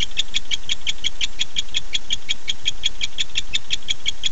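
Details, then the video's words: Nest camera recording from 9:54 pm on 9-8-15 of a male barn owl calling to his mate at night: a steady run of crisp, evenly spaced clicking notes, about five per second, over a low background hum. "Casper showed up at 9:54 pm and called for Dottie"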